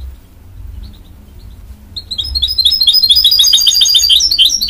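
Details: After a few faint chirps and a low hum, a goldfinch-canary hybrid launches into a steady, fast twittering song of high repeated notes.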